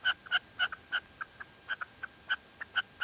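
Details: Short burst of calling by a female red-legged partridge in La Mancha: sharp, clipped notes alternating loud and softer, about four per second.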